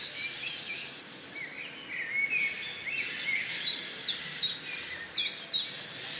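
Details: Black kite (Milvus migrans) calling: mixed faint chirps at first, then a run of clear, high, downward-sliding whistles repeated about three times a second toward the end.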